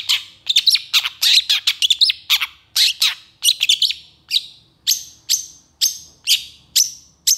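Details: Long-tailed shrike singing: a fast burst of mixed chirps and squeaky whistles that settles into a series of loud, sharp, evenly spaced notes about every half second.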